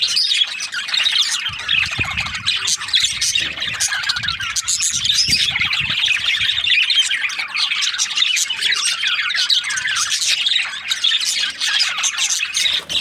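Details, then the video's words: Flock of budgerigars in breeding season making long, dense chatter: rapid high chirps and twittering warbles overlapping continuously, with a few faint low knocks in the background. "Lovely budgies chirping sound parakeets breeding season"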